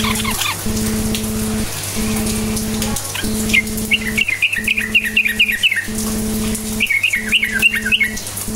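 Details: Yellow-vented bulbul song used to draw other bulbuls into singing: scattered high notes, then choppy runs of quick chirps in the second half, set against a continuous humming drone.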